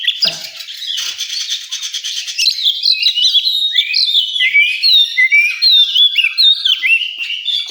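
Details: Oriental magpie-robin at a bird song competition area, opening with a harsh rasping burst, then delivering clear, sweet whistled notes that slide up and down in quick varied phrases.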